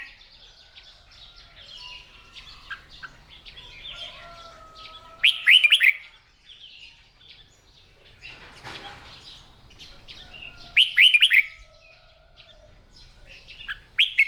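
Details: Captive red-whiskered bulbul in morning voice-training practice, kept by bird hobbyists in Vietnam; two loud bursts of quick, slurred, swooping whistled notes about six seconds apart, with softer chirps and faint thin tones in between.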